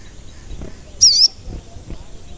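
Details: Single high wavy whistled note from an active singing sogon, a lure to make other sogon birds sing, rising and falling briefly within a quiet background.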